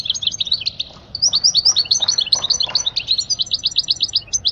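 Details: Tutoring song of a European goldfinch meant for young birds: a quick stream of bright, liquid chirps and twitters, closely spaced and slightly varying in pitch, over quiet background.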